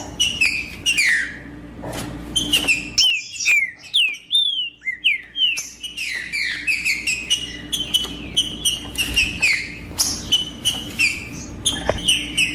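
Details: Rufous-bellied thrush (trinca-ferro) in full song, used to warm up another thrush: a dense run of rich whistled phrases, rising and falling slurs and quick chirps, delivered almost without pause, with a brief gap near the middle and a faint low hum.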